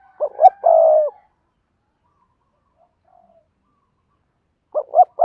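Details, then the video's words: Spotted dove kept as a decoy to lure wild birds, Đồng Nai, Vietnam, cooing in double-voice style: two short low hoots then a longer drawn-out coo, a silent gap of about three seconds, then the same phrase begins again. "Tiếng chim cu gáy mồi kích bổi gáy gọi giọng đôi"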